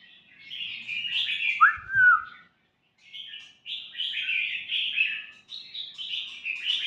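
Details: Young White-rumped shama singing a rambling, varied warble of buzzy and slurred notes, with a bright downslurred whistle near two seconds, a brief pause, then more chattering phrases; faint low thumps underneath.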